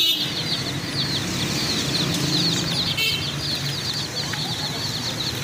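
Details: Chicks newly bought, chirping in a busy, high-pitched chorus of short falling peeps, many calling at once over a low background hum.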